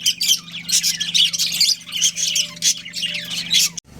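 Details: Non-stop squawky warbling from pet budgerigars, a breeding pair, packed high chirps and rasping notes for nearly four seconds, ending abruptly, with steady hum underneath.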